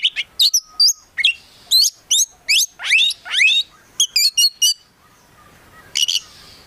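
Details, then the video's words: Kacer, or Oriental magpie-robin, from a keeper's collection, in energetic gacor song rich in isian fill: clusters of sharp chirps and steep rising whistled sweeps, a brief pause, then a final double chirp. "KACER GACOR FULL ISIAN BIKIN KACER APAPUN LANGSUNG NYAUT"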